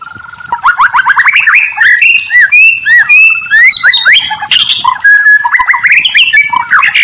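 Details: Murai batu, or White-rumped shama, singing a continuous, rich medley of rising and falling whistles, quick slurred notes and buzzy fragments, with no pause throughout.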